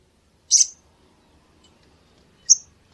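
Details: Sunbird call used for luring birds: two short, very high sharp chirps, about two seconds apart, over a quiet background.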